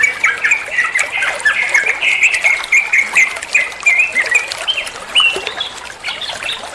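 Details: Bulbul called trucuan, recorded to teach other songbirds: steady run of bubbly whistles and chirps, clustered phrases with brief dips in loudness between bursts.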